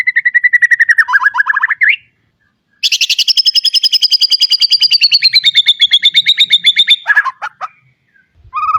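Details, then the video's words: White-rumped shama song played as a training recording for young birds: rapid trains of clipped repeated notes, first lower and dropping, then a long high buzzy rattle, ending in a few loud scattered whistles. "Kicau Murai batu full isian, cocok buat pancingan masteran Murai bahan agar cepat bunyi & gacor."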